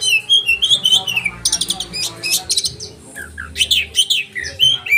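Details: Oriental magpie-robin singing sharp 'roll tembakan' to train caged birds: wavering whistles, then a burst of repeated buzzy rattling notes, a short pause, and further slurred whistles and chatter.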